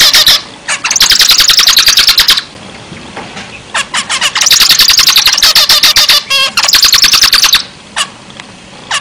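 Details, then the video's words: Actively singing zebra finch giving dense trains of quick, raspy, trumpet-like notes, with a short squeaky flourish in the middle of a long phrase and quiet breaks between phrases. "zebra finch gacor"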